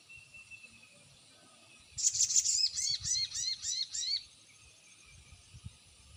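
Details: Crested jay, locally called sogon, giving a lure call meant to make silent birds answer: a loud two-second burst of about ten rapid, harsh, repeated notes with upswept lower tones, then quiet.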